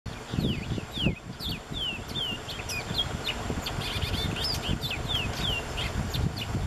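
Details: A Nicaraguan Seed Finch, recorded from a boat, sings a run of quick, clear downslurred whistles, several per second, over a steady low rumble of engine and water.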